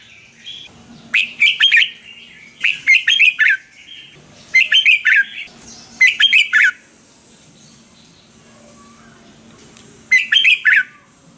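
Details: Red-whiskered bulbul from Thailand, a caged songbird whose song is played to excite or train other caged birds: five short bursts of bright, bubbly whistled notes, each about half a second long and separated by pauses, over a faint low hum.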